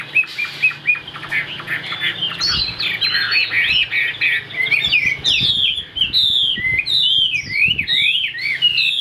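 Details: A cage-tamed Chinese hwamei in full song, starting with thinner notes, then breaking into loud rolling whistles and sharp, sweeping slurred phrases repeated in quick succession.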